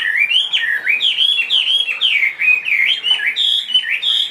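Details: Loud clear song of a 2.5-year-old caged Chinese hwamei, a large bird that sings in any setting: repeated swooping whistles dipping low then rising sharply, about two per second, ending on steady high notes.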